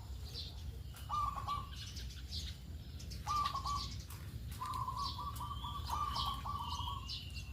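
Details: Morning lure call of a local perkutut (zebra dove), meant to draw other doves into singing. Three bursts of rapid, clipped cooing notes, the last one longest, with light chirping from other birds behind.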